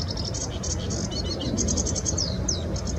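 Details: A sedge warbler in the Bitsa forest recreation area sings a fast, scratchy chatter of repeated high notes with a few slurred, falling whistles, over a steady low rumble of background noise.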